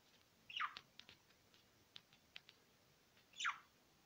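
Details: Budgerigars kept as pets make two sharp, descending chirps separated by light tapping and clicking in a quiet room.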